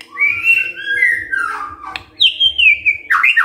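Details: Morning song from a white-rumped shama aimed at getting other birds to sing: smooth descending whistled phrases followed by a high falling whistle and quick choppy notes, faint low hum behind.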